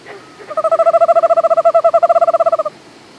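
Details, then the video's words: Eastern screech owl monotonic trill: a steady, even-pitched trill of rapid hooting pulses, about fourteen a second, lasting roughly two seconds with no rise or fall. "Screech Owl, Eastern Monotonic trill"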